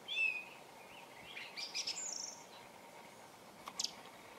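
A thrush gives a clear high whistle, then a few quick varied chirps and a thin high note, with a steady hiss of background noise.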